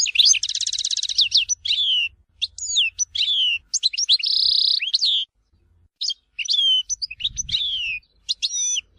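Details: Algerian goldfinch song of the Tizi Ouzou region, complete set of phrases: a fast high metallic trill opening into sharp twittering notes, a steady buzzy trill mid-way, then sweeping downslurred chirps with brief pauses between phrases.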